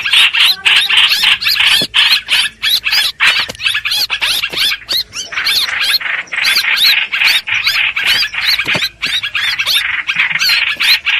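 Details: Streak-eared bulbul calling on a trapping lure track: busy, harsh chattering in quick irregular bursts, roughly three per second, continuing for about eleven seconds with small gaps.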